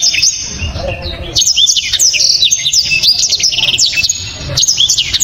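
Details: Dense, loud black-throated canary song, sharp and very clear: a nearly continuous stream of high, fast whistles, slurred chips and short trills, broken by brief pauses.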